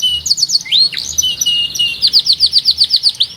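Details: Loud canary song in an unusual rhythm: a few quick chirps, a rising slurred whistle and buzzy middle section, ending in a crisp series of repeated high downward notes about four each second.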